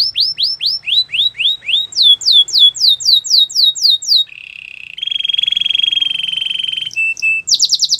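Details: Belgian canary singing a loud, varied song: rapid repeated downslurred whistles, then rising upsweeps, a low buzzy trill, a long steady rattling tone, and fast high chips at the end.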